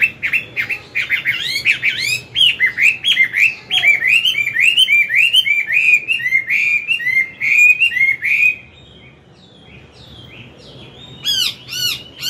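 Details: Older wild Chinese hwamei singing in the morning as a model for a young bird: a rapid, varied stream of rising curled whistles and chattering notes for eight seconds, a brief silence, then a few sharp high phrases.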